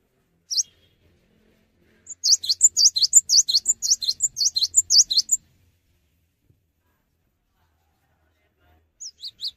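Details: Energetic song of a cinereous tit that does not hop about, supposed to make other tits start singing; one sharp note, then a rhythmic three-second volley of bright downslurred chirps, silence, and two more notes at the end.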